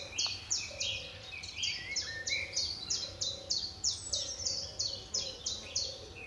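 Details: Turtle Dove at RSPB Fowlmere in Cambridgeshire, July 2013: low, soft purring phrases of about half a second, repeated roughly every second, largely masked by loud, rapid, high chirping from other birds.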